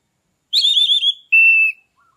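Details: Captive orange-headed thrush in loud, open 'ngeplong' song, used as a lure to bring a stalled bird into breeding condition: a warbling whistled phrase, then a short pause and one steady, level whistle. The background is quiet.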